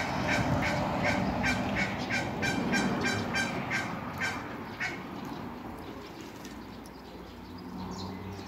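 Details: Female Muscovy ducks in a backyard, filmed in flight, give short, harsh notes, about three a second, over a steady rushing background noise.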